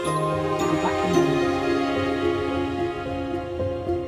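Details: Soft instrumental music with sustained tones and gentle plucked notes, and no animal voices.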